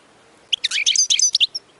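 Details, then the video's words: Short goldfinch batbata phrase, played to excite goldfinches into singing: about one second of quick, bright twittered notes followed by a single high chirp. "بتبتة نااار يا حبييبي ناااار لتهييج الحسون ستجعله يغرد من دووون انقطا"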